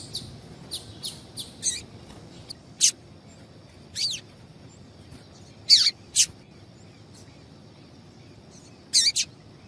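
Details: High chips of a female double-collared seedeater, a call played to get males singing: an opening run of quick thin notes, then louder single or paired downslurred chips every one to two seconds, with quiet gaps between.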